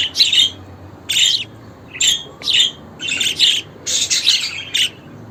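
A budgerigar chatters in scratchy, high bursts of warbling, each lasting under a second with short pauses between.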